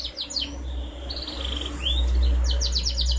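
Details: Young canary, four months old, used as a singing lure for other canaries, recorded 11 August 2021: a quick trill, a drawn-out whistled note, then another burst of fast high notes over a steady low hum.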